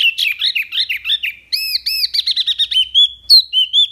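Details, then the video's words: Wambi mini pouring out dense tembakan song for training songbirds: rapid warbled phrases, a run of arched, ringing whistled notes repeated quickly, then a few clear level whistles. "SUARA JERNIH TEMBAKAN WAMBI MINI"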